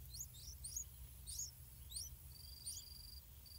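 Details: Yellow-vented bulbuls feeding and guarding their chicks in a pineapple farm: a soft series of thin, high chirps, each rising then falling, repeated about every half second, with a brief high steady tone near the end and a low hum underneath.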